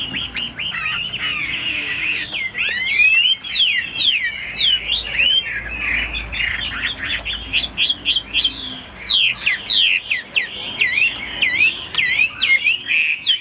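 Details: Caged, tame Chinese hwamei in a long, varied song: rapid rich whistles sweeping up and down, slurred trills and sharp rising notes poured out almost without pause, with brief gaps between phrases.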